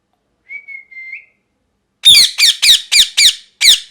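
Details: Parrot giving one soft, level whistle that lifts at the end, followed by a rapid series of six loud, harsh, raspy squawks, each with a downward slur.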